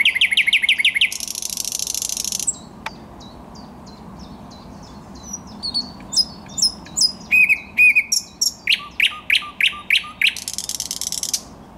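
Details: Thrush nightingale singing, 10 May 2021: opens with a rapid rattle and dense buzzy trill, a pause, then quiet clicks building into loud repeated whistled notes, a fast series of knocking strokes and a final buzzing trill.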